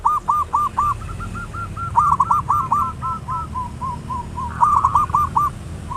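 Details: Loud-voiced local zebra dove lure song meant to set other doves singing quickly. Repeated bursts of stuttering, hooked coos come in runs of four to six, with quieter trailing notes between them.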